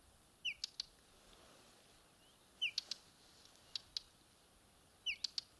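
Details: A whinchat on Exmoor gives a soft, falling whistle followed by two or three hard, dry ticks, repeated four times at uneven intervals against a quiet background.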